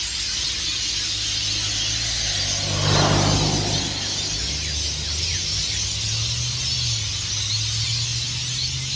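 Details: Rainbow lorikeets by the hundreds taking off for the day from Norfolk Pines along Burleigh Heads Beach, Queensland, Australia, before sunrise; continuous piercing screeching chorus, a brief whooshing swell near the middle and low droning tones underneath.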